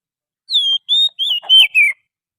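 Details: Oriental magpie-robin forest song used as a lure: five clear whistled phrases in quick succession, the first long and level, the later ones warbling and sliding downward, with no other sounds.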